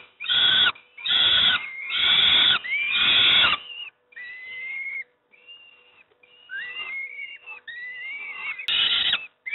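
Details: Peregrine falcon youngsters at Moszna near Pruszków receiving breakfast: four loud rasping screeches, then thinner whistled notes that rise and bend, ending in another harsh burst; a low hum persists.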